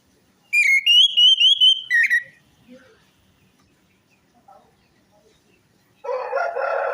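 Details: Lure song of an orange-headed thrush for a bird that is silent or stressed: a fast run of bright warbled whistles, a short sharp note, quiet, then a dense harsh rasping sound.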